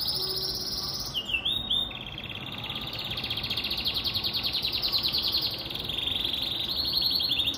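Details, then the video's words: Caged Pintagol, a hybrid of a Venezuelan siskin and a female Belgian canary, sings a long, loud canary-like song: short high chirps, then a fast rolling trill of rapid buzzy notes held steady with little background noise. "Pintagol Venezuelano"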